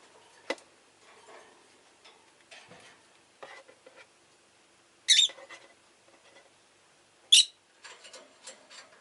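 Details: Rosy-faced lovebird chirping: two loud, harsh, high-pitched shrieks about two seconds apart, among soft clicks, taps and faint rustling.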